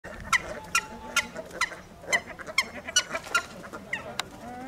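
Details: Nene (Hawaiian goose, Branta sandvicensis) in a private collection in Holland, recorded 19 August 2023: a rapid series of about ten short, harsh, nasal honks, roughly two per second, over a low hum of background noise.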